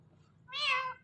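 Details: Talking Indian ringneck parakeet gives a single nasal, meow-like drawn-out syllable, rich in harmonics and falling slightly at the end, after a quiet pause; low room hum underneath.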